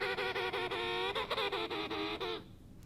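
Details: A male Emperor Penguin at SeaWorld San Diego gives a typical three-sequence male courtship call: a loud, rich, trumpeting series of harmonic syllables with a wavering, beating quality, lasting about two and a half seconds.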